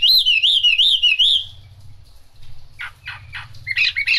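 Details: In the rain, a Chinese hwamei gives a rolling series of wavering whistles rising and falling about five times, pauses, then adds scratchy, varied notes and sharp whistles.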